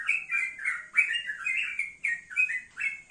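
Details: Morning song of a male yellow-vented bulbul out in the sun: rich, gurgling phrases of slurred notes, each burst lasting about half a second with short gaps.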